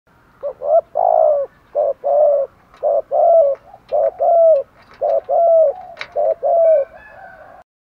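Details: Spotted doves, male and female, in a recording used to stimulate and train captive doves: low, hoarse coos in two short notes and a longer rolling note, repeated in quick succession with overlapping phrases.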